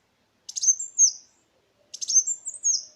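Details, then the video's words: Kolibri Wulung sunbird lure song, used to prompt silent birds to sing and to tutor other songbirds; two high, thin twittering phrases with rapid chips sliding into a descending whistle, clean and quiet background. "Suara pancingan burung Kolibri Wulung"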